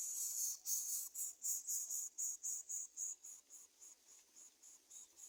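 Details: Greater coucal chicks beg for food as an adult brings locusts, giving high, hissing rasps, about four a second, fading gradually toward the end.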